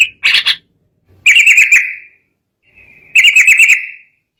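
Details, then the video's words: Sooty-headed bulbul in agitated song meant to provoke rivals into singing: three bursts of rapid bubbly, chattering notes around a strong mid-high tone, the last trailing off, with short silences between. "KICAU SUARA BURUNG TRUCUKAN EMOSI, BIKIN LAWAN LANGSUNG BUNYI"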